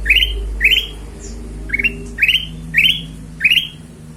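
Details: Ruby-throated bulbul giving a lure song to draw other birds into song: bright rising chirped notes repeated about every half second, six in a row, with a faint low hum beneath.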